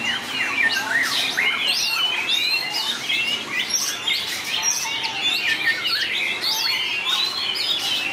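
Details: White-rumped shama singing competitively with long voice changes: strong fluty whistles, steep slurred sweeps and scratchy notes delivered densely without a break.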